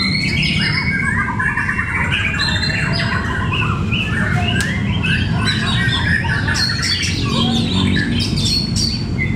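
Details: White-rumped shamas, competition fighter birds, at a songbird contest in Cibinong, Indonesia: many loud overlapping whistled phrases, sweeps and rapid chattering notes, over a constant low rumble of crowd and hall noise.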